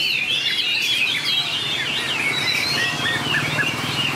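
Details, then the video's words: White-rumped shama in contest singing, with long voice changes: a busy run of warbled whistles and twisting slurs, with fast notes sweeping up and down, under faint steady background hiss. "Tuyển tập chòe lửa hót đấu Bộ đẹp,nết chơi đẹp,đảo giọng dài hay nhất 2019║Suara murai batu gacor"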